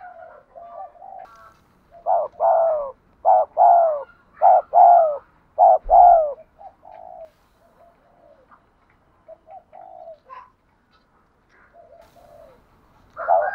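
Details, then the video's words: Spotted dove in an urging coo used to train decoy birds: bursts of low, hollow coos in two quick groups around two to six seconds, then soft, faint cooing phrases and a louder coo at the end. "cu gáy thúc gù"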